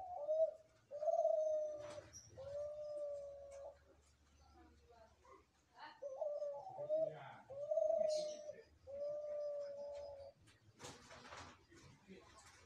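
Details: Spotted dove, one of three birds, repeating low mellow coo phrases, each a short note followed by a longer steady purring tone, several in a row with pauses. Human voices and handling noises break in partway through.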